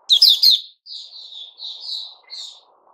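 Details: White-rumped shama, 29 August 2021: a brief loud, buzzy chattering burst, then a series of softer, clear drawn-out whistles, with a faint low hum in the background.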